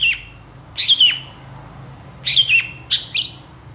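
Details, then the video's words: Long-tailed shrike in vigorous song: a few loud, clear downslurred whistles, each dropping steeply in pitch, some doubled, spaced about a second or more apart over quiet background hum. "SUARA PENTET GACOR DOR EMOSI TEMBAKAN PANJANG"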